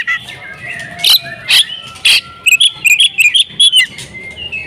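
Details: A home-kept female oriental magpie-robin: soft whistled notes and three loud harsh bursts open the passage, followed by a quick series of short bright chirps over faint background hiss.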